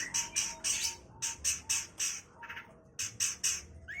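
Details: Long-tailed shrike singing in an energetic, settled style full of fillers: harsh, scratchy squawking notes repeated roughly every quarter second in short runs, over steady low background noise.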